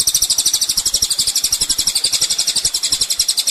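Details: Sunbird known as kolibri ninja, on a master recording for training songbirds: a continuous, rapid, strident trill of high buzzy pulses, about four per second, running through the whole stretch.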